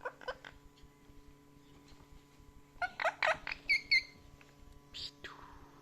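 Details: Chatty pet parrot indoors giving scattered squeaks, then a burst of harsh, rapid chattering syllables with a few high piercing notes, ending in a falling squeal, against a faint steady electrical hum.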